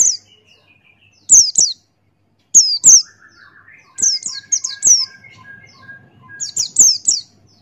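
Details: Male Buxtoni white-eye in ngalas style with open beak, a tutor recording: clusters of high, downward-slurred piping notes come in quick bursts, while a softer steady whistled tone runs lower in the background.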